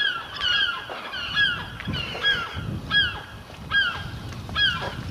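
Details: Gulls around a house chimney repeat loud, harsh, falling cries roughly every half second, over a low rumble of background noise.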